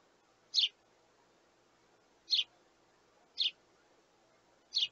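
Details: Young sparrow chicks begging for food from their parents, giving four sharp, high chirps spaced about a second apart over a quiet background hum.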